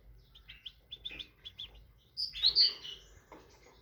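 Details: Tit song: a row of evenly spaced short chirps, then a louder burst of bright, high twittering notes, fading into a few softer calls.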